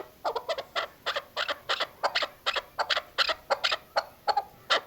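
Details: Female chukar partridge voice used for hunting: a steady string of sharp, throaty chuk notes, some in quick pairs, about three per second, loud and clear against a quiet background.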